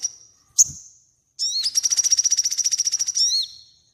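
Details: A crimson sunbird's song, used to train cage birds: one sharp, high tick, a pause, then a long rapid trill of high buzzy notes ending in a brief falling slur.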